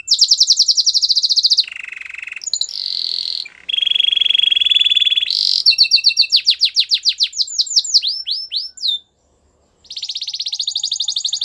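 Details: Training song of a canary: fast high rolling trill, a lower buzzy tour, steady mid-pitched rattling trill, then rapid slurred whistles sliding downward, a brief silence, and another high rolling trill.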